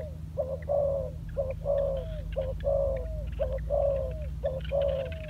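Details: A ground-trained decoy spotted dove coos repeatedly: quick short notes followed by longer, gently falling notes, in about five even pairs. Faint higher bird chirps and a steady low hum are in the background.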